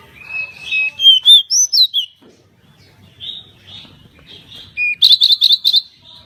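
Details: Lively pied bushchat song for training cage birds. Looping whistled notes rise and fall, then a pause, and a rapid buzzy trill of about six pulses ends the phrase.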